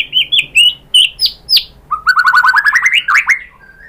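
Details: White-rumped shama song played to provoke other shamas: several loud, separate whistled upslurs, then a rapid accelerating trill of rising notes that climbs in pitch before a soft closing whistle.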